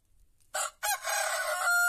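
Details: Loud crow from a white rooster before dawn in an Andalusian olive-grove village. It opens with a short harsh burst, then moves into a rough, rasping phrase that ends on a clear, sustained tone.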